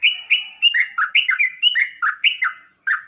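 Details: Sooty-headed bulbul song meant to make other bulbuls answer and sing, a quick chattering run of bubbly whistled notes, each dropping from higher to lower pitch, about a dozen notes in three seconds.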